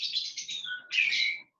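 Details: Bird calling in the background of an online lecture: a run of high, thin, buzzy chirps, then a lower whistled note that jumps up into a bright, sharp chirp.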